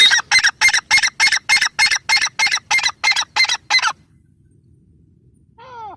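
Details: A grey francolin gives a steady, evenly spaced series of about fifteen harsh, honking notes, roughly three per second, then stops. A faint curving call follows near the end.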